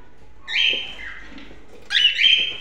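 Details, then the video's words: A cockatiel gives two loud, grating, high screeches, the first drawn out and wavering, the second sharper and rising, about a second and a half apart. "cockatiel birds"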